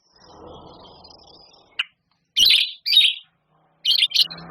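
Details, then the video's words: White-rumped shama, a champion songbird, gives a few short, sharp chirped bursts separated by silences after a faint low rustle; sparse, clean notes without background voices. "Suara Murai Batu Juara,Tembakan Murai Batu Gacor Full Isian Kasar Panjang Mewah"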